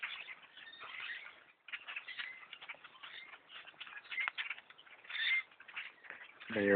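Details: Huge blackbird flock surrounding a tree stand during bow hunting: busy overlapping chips and squeaky notes, a brief hush midway, then the din resumes, ending with a loud low thump nearby.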